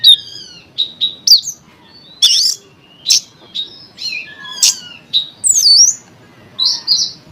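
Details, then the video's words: Oriental magpie-robin song used to goad other magpie-robins into singing, a varied string of whistles, harsh rasping bursts and rising and falling slurred notes delivered in quick succession. "CARA MANCING KACER 5 MENIT LANGSUNG MONCER"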